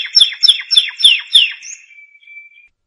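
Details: Canary singing, meant for training canaries: five clear downward-sweeping notes about a third of a second apart, followed by a thin, steady whistled tone that fades out.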